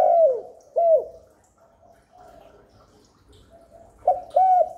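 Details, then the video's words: Spotted dove cooing to lure wild doves and excite newly kept birds: falling mellow coos open the phrase, a quiet low murmuring stretch follows, then a fresh burst of clear ringing coos. "Chim cu đất, cu cườm gáy gù thúc kéo bổi về tàng, cu gáy kích bổi mới nuôi"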